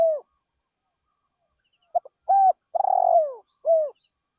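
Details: In a rice field a decoy spotted dove gives its song: the tail of a coo, a pause, then two clipped notes, a level coo, a long trilled downward coo and a falling closing coo.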